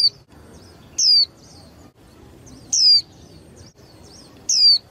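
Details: Captive young female white-eye, used to fire up males for singing matches, gives high descending whistles roughly every two seconds, three full notes, with faint soft chirps in between.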